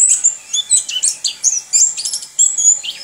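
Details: Orange-headed thrush, a kept bird trained to sing in the rolling style, delivering a rapid run of high whistled and chattering phrases with sharp notes and sweeping slurs, bursts coming several times a second.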